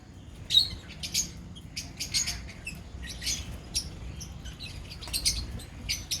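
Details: Lovebird colony giving sharp, high chirps in scattered bursts, with short pauses between and a faint low hum underneath.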